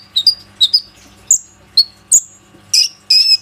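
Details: Plain-throated sunbird lure song, aimed at making other sunbirds sing, recorded on an Oppo A37f phone. Paired sharp chips drop into short thin whistles, repeated at uneven intervals, ending with two longer buzzy high notes.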